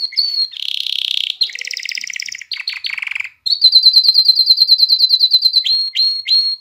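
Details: Canary song aimed at exciting hens to breed and teaching chicks to sing; buzzy rolling trills give way after a short pause to a rapid bright chipping tour and several upward-swept whistles.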